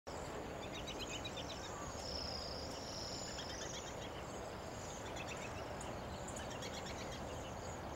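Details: Pine siskin (Spinus pinus) song: a rambling series of thin, high twitters and a drawn-out buzzy note over a steady wash of low background noise.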